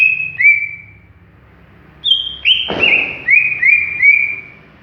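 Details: Greater green leafbird, a raw bird not yet in full song: long level whistles sliding down, broken by a dull thump, then a run of short falling whistled notes.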